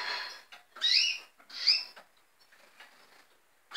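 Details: Red siskin calling: two bright, buzzy upslurred notes rising toward a high pitch, about a second apart, followed by soft faint twitters and a quiet pause.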